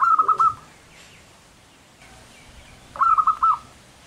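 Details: Zebra dove of the local type in full song: two rolling, bubbling coo phrases about three seconds apart, each a fast run of soft pulsed notes, with faint background noise between.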